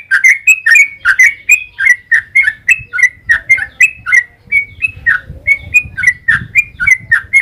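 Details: Sooty-headed bulbul in a long 'ropel' song, used to lure other bulbuls into answering: a fast, unbroken run of short bubbly, chirpy whistled notes, about four each second, over a faint low rumble.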